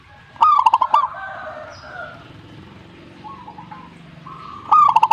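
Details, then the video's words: Zebra dove (perkutut) singing in answer to another bird: a rising note followed by a quick rolling series of about five soft, hollow coos. The phrase comes twice, about four seconds apart, with faint cooing in between. "suhu perkutut jika nyaut Burungmu bagus berarti"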